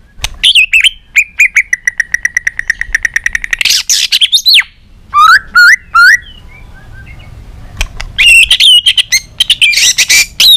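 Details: Long, rich white-rumped shama song used to get shamas singing: a fast even series of ticking notes over a sustained whistle, steep swooping calls, a pause, then loud mixed warbling.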